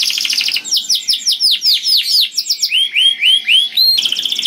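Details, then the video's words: Canary singing loudly and melodiously, used to lure other canaries: rapid trilled tours of repeated rising and falling whistled notes, shifting from fast buzzy rolls to slower looping swoops, with no other sounds. "Burung Kenari Bunyi Gacor Merdu dan Keras Cocok Sekali Untuk Pancing Kenari Lain || Voice of Canary"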